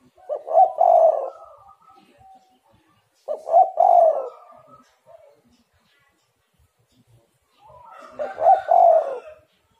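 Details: Spotted dove calling as a lure to coax other doves into singing. Three mellow coo phrases come roughly every three to four seconds, each a quick stuttered lead-in followed by a longer, soft, hollow coo.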